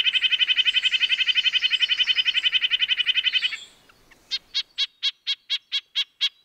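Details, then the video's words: Red-breasted nuthatch producing a rapid nasal chatter for over three seconds, then a short pause and a slower run of separate, clipped, high nasal toots spaced roughly a quarter second apart. "Red-breasted nuthatch sounds, Sounds of the Canadian Nuthatch"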